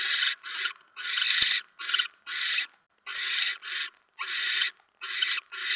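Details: Barn owl nest, 7:50 PM on 10 November 2017, mouse brought in: long rasping, breathy screeches in a dense, uneven run with only brief gaps, a couple of sharp clicks.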